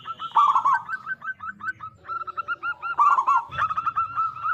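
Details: Zebra dove song from a local loud-voiced bird, used to coax other zebra doves into singing: dense trilled warbles and strings of short clipped coo notes overlap, rising and falling in quick succession.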